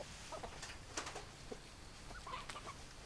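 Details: Hens clucking in a brief burst: a handful of short, clipped clucks spaced irregularly, with a faint hiss behind them.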